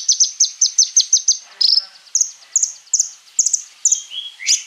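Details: Crimson Sunbird (konin) as a singing lure, delivering a fast even run of high chips, then spaced sharp double notes with a short buzzy call near the end.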